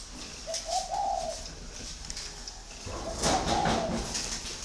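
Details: Large red-eyed male spotted dove of northern stock, caged for six years, voice of the giọng thổ style; two mellow cooing phrases, the second louder and fuller, with faint clatter and background noise.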